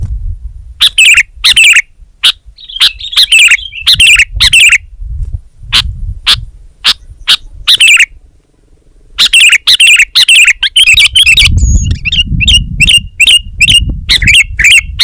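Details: Sooty-headed bulbul singing hard: loud chirped notes in bursts, a brief wavering twitter, a quiet gap, then a fast rapid series of sharp repeated chirps.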